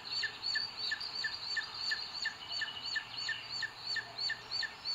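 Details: Booted eagle at a nest in Sierra de Guadarrama natural park, Spain, 2 June 2022, seen by live camera as the male brings the female food; a rhythmic series of high, short downslurred notes over faint background hum.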